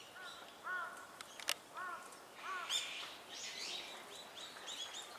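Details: A flock of Azure-winged magpies gives harsh, nasal, arched notes in irregular overlapping bursts, mixed with higher squeaky calls, over a steady outdoor hiss.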